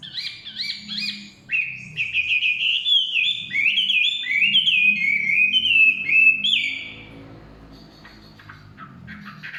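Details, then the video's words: Chinese hwamei in forest pouring out loud varied whistled phrases, upslurs and rolling notes for about seven seconds, then stopping, leaving faint softer background chirps. "kicauan wambi/huamei hutan"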